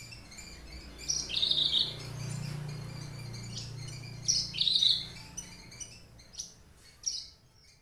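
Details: Caged Horsfield's bush lark of the subspecies aliena, from Papua, kept for three years, whose song includes imitations of finches: short bursts of bright high chirps and buzzy trills separated by pauses, over a steady low hum.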